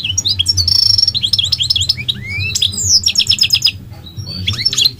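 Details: A goldfinch, called migratory, sings a varied torrent of chirps, rising whistled slurs, a buzzy rattle and quick liquid twitters, nearly continuous for five seconds, with a faint low hum behind.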